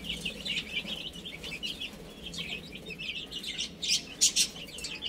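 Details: Chicks playing and eating give a low-level chorus of thin, high cheeps, with louder piercing peeps near the end and a soft background hum.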